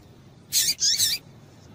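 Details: Female double-collared seedeater calling to get males singing: two short, high, bright notes in quick succession, the second sliding slightly upward, over a quiet background.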